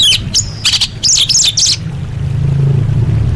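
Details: Calling female orange-headed thrush summoning males, used to make quiet birds sing: a dense volley of high scratchy chirps and whistled notes lasting under two seconds, then only low rumbling background.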